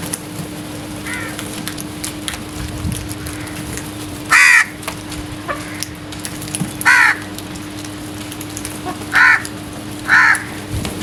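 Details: Early-morning crows: spaced, harsh single caws, four loud ones several seconds apart and a fainter one early, over a quiet humming background.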